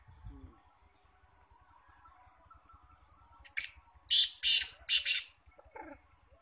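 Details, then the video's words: Trained female black francolin, a kept bird, giving a call of four loud, harsh, buzzy bursts close together, then a short falling note, over a faint steady hum. "kala teetar ki awaz | teetar voice female"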